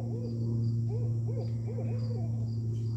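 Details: An owl hooting at the recordist at home on 18 August 2022 gives soft, low, rounded hoots in quick uneven succession over a loud steady mechanical hum, with faint high insect chirring behind.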